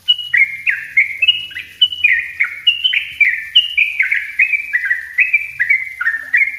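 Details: Yellow-vented bulbul singing in the dense, rapid 'ropel rapat' style, a master recording used as a lure and for tutoring untrained bulbuls: a continuous stream of bubbly, slurred, falling notes, about three per second, with no other sounds.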